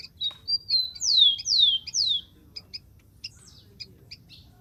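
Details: Wild rufous-collared sparrow song: a few short high notes lead into three loud whistled slurs, each sweeping down in pitch, then sparse thin chips continue in the quiet background.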